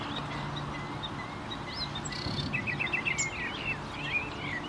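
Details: Common nightingale song of thin whistled notes and short rising slurs with a brief chattering flourish midway, over a steady low hum.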